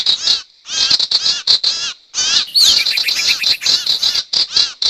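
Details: Sirtu calls for luring wild birds into traps: clusters of fast high chirps separated by short pauses, then a sweeping whistle and dense steady chirping.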